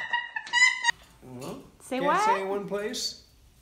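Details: Domestic male cockatoo producing talking-like sounds: a short steady tonal note followed by gliding, voice-like syllables that sweep up and down in pitch.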